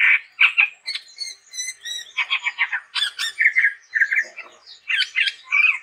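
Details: Energetic gacor singing from a chestnut-rumped babbler, a dense run of harsh chattering notes and buzzy squawks in quick bursts, some with higher whistled overtones, continuing without pause.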